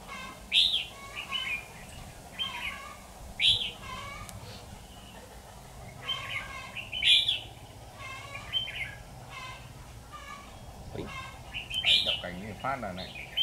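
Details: Red-whiskered bulbul giving a fighting song during a bird-trapping session on 13 October 2019: bright chirpy, warbled phrases repeated in bursts roughly every one to two seconds, with faint background hum.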